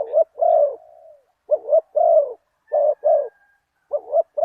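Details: Spotted dove (nok khao yai) used as a decoy to lure a target wild dove, with a 'big voice, one kuk' cooing style. It gives repeated low coo phrases: a quick double note and then a longer, fuller coo, with clean silent gaps between them.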